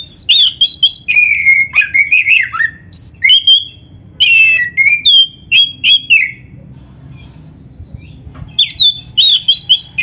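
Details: Full 'isian' song of an Oriental magpie-robin (kacer), a training master for other songbirds: rapid, varied whistled notes and trills in quick bursts, with one pause midway, then renewed sweet whistling above a low background hum.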